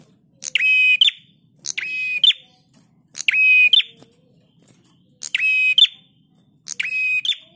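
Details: Repeated prinia phrases, harsh and buzzy with a flat pitch and a crisp ending, five in total at irregular spacing of one to one and a half seconds. Intended as a training master for cage birds.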